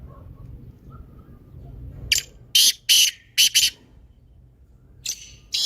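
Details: Calling black francolin, played to set off a silent caged francolin: after a quiet start, a phrase of five harsh, grating notes in quick succession, then two further scratchy notes near the end.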